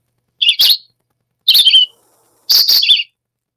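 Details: Red-eyed Vireo, which sings all summer high in woodland treetops: three short, high, slurred phrases about a second apart, each followed by a pause, chatty and talking-to-itself like question and answer, less tuneful than a robin. No other sounds.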